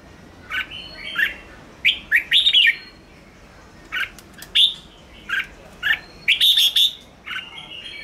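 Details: Red-whiskered bulbul song played to stimulate and draw wild birds: short bursts of bright, warbled chirping phrases, some rising and some falling, separated by brief pauses, with a faint background hiss.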